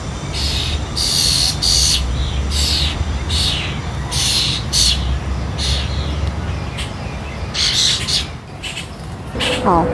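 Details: Young European starlings in Prospect Park, Brooklyn, in summer, giving harsh, hissing, buzzy, almost purring calls in repeated bursts about every half second, with a low hum and people talking underneath.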